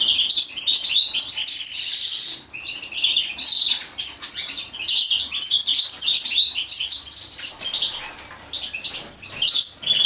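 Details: European goldfinch singing while mating: a dense, fast twittering of high tinkling and buzzy notes, loud and nearly continuous, with brief dips in volume.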